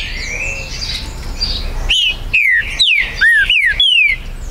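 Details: Territorial green-winged saltator (trinca-ferro) singing at a Brazilian breeder's site on 19 September 2020: after a second of background birds, a burst of five strong whistled notes sliding downward, one dipping lower, each clipped and rapid.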